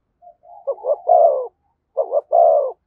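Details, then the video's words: Spotted dove working a decoy with 'thúc gù' cooing. Faint soft notes lead into two phrases, each made of paired short coos and a long, mellow, slightly falling coo. "Tiếng chim cu gáy THÚC GÙ giọng hay với sát bổi"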